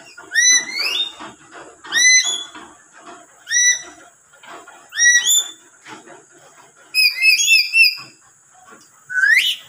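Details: Lories calling near other lories that are startled and angered by suddenly loud calls and reply at once: harsh, rising, metallic screeches in separated bursts about every one and a half seconds, with a quick triple shriek near the end.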